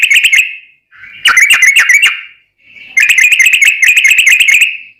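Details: Trucukan singing its long rapid trill (ropel panjang), played to lure other bulbuls into singing back: two long, fast, bright chattering trills with a brief pause between, plus a short opening burst.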